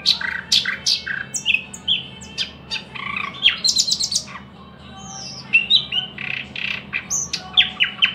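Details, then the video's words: Thrush nightingale singing a fast, varied sequence of sharp clicks, short whistles and buzzy notes, with a brief pause near five seconds before the phrases resume. A steady low hum runs underneath. "luscinia luscinia"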